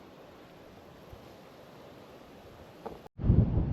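Steady low rumble of wind, then a brief dropout and a louder buffeting gust on the microphone, with no animal calls.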